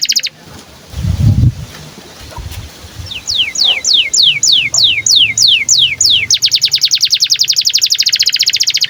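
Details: Canary in breeding condition singing as a training model for other canaries: after a low thump and quiet start, a run of sharp descending whistled sweeps, then a fast even trill of rapid high chirps repeated many times per second.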